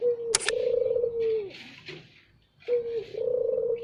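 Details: Spotted dove, used as a lure bird, giving loud cooing calls: a short rising note followed by a long, steady, hollow coo, repeated after a pause, with a brief sharp click near the start.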